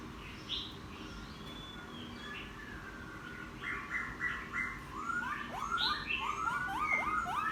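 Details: Laughingthrush caught from the wild, singing after ten days in captivity and a bath: scattered whistles, a short buzzy burst, then a string of quick descending slurred whistles growing louder.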